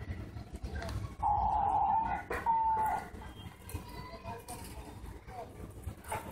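Diamond dove giving two soft, steady mid-pitched coos, the first about a second long and the second shorter, over a low background hum.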